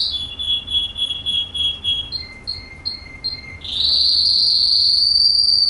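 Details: Russian canary in Kuwait: a run of evenly repeated whistled notes, then a few brief higher chirps over a thin sustained tone, breaking into a loud, continuous high trill held steadily to the end.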